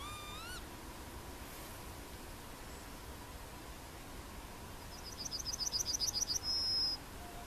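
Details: Yellowhammer, Emberiza citrinella, in Plochocin in July 2013, singing late in the recording: a fast train of sharp high notes closing on a drawn-out whistle, preceded by a single rising harmonic sweep.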